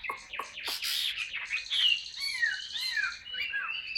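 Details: Chinese hwamei, a caged bird, singing a lively phrase of sharp downward strokes followed by loud swooping, arching whistles, full and continuous.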